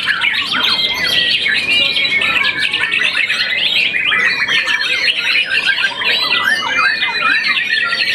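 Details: Dense, loud song from a champion young white-rumped shama after one moult: rapid chirps interlaced with long, steady whistled notes, continuing without break.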